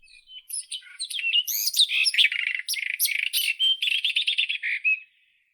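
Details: Rapid, rattling series of chattering notes from a White-throated robin, speeding into a dense stuttering run for about four seconds before stopping abruptly.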